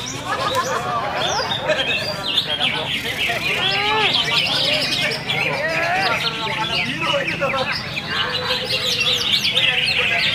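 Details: Greater green leafbird (cucak ijo) singing a dense, rapid stream of varied chirps, slurred whistles and rising and falling trills with barely a pause, set over a constant low background rumble.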